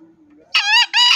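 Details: A green junglefowl crows in the morning, giving its short, hoarse crow in two harsh bursts, the second quickly following the first, after a faint low hum; a recording used as a lure so wild junglefowl answer during hunting.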